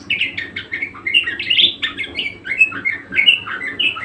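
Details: Budgerigar in energetic, nonstop song: rapid twittering notes running together into a busy warble, some slurred up and down, over a soft low background hum.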